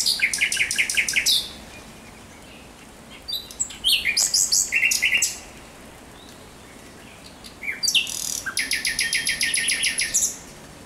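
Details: Thrush nightingale in nocturnal song, 17 May 2023: loud staccato clicks and chock notes in a rapid series, a whistled middle phrase, then a long fast rattling run, with quiet gaps between.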